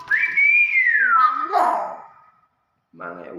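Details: Hill myna, a speech mimic that keeps talking: one sustained whistled note held steady, then gliding down into a rougher, voice-like blur, followed by silence and a short, buzzy syllable.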